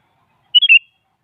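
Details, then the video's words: A single brisk phrase from a sooty-headed bulbul singing in the morning to provoke a rival: two quick whistled notes then a longer warbled note, clean and isolated. "Suara Burung Kutilang Pagi Hari Mengajak Lawan Adu Bunyi"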